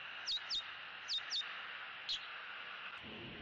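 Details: Eagles at a Southwest Florida nest on October 6, 2017, during nest restoration and bonding: five short, high, sharply falling chirps, two quick pairs and then a single note, over a steady background hiss.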